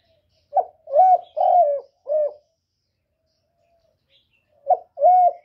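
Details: Spotted dove used as a lure for other doves, cooing cleanly: a short clipped note followed by two or three longer rolling, slightly falling coos, a pause, then the phrase starting again, with no background noise.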